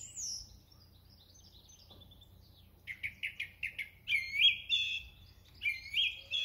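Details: Song thrush in song at Thoralby on 2 June 2020: a high thin note, then a rapid run of about six short, identical clipped notes, followed by a fluty warbled phrase sung twice.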